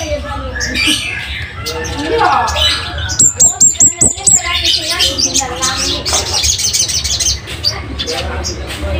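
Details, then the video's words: Scarlet-headed flowerpecker, known locally as cabean or kemade bunga api, used as a master recording for training caged birds. It gives a loud, sharp series of very high, thin repeated notes, with cluttered chattering and other bird sounds around. "Cabean Bunga Api gacor,,cocok buat pancingan/masteran"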